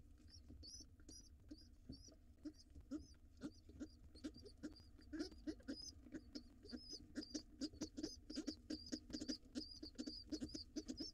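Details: Wild pigeon nestling with its father at breakfast in a nest box: a long, fast series of high, thin squeaks that grows busier and louder, accompanied by steady pecking taps and scuffles.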